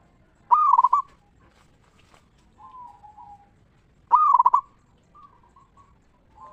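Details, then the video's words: Zebra dove, a local bird, singing in the ngeristal style to prompt others of its kind to answer. Two loud trilled coos about three and a half seconds apart, separated by quieter, lower cooing fragments. "Perkutut Lokal Gacor RAJA PIKAT Suara Ngeristal Paling Ampuh Bikin Semua Perkutut Nyaut Gacor"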